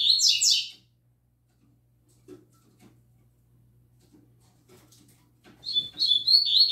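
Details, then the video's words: Young double-collared seedeater singing tui tui zel zel: a short burst of fast buzzy notes, then several seconds of near silence with faint clicks, before a second rising run of high whistled notes. "OLHA O CANTO DO PAPACAPIM FILHOTÃO NOVATO!!! ELE ENCARTOU O TUI TUI ZEL ZEL!!!"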